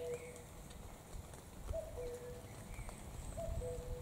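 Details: Common cuckoo song: three clear two-note cu-coo calls, each a short higher note falling to a longer lower one, spaced roughly every one and a half seconds. A low rumbling background runs throughout.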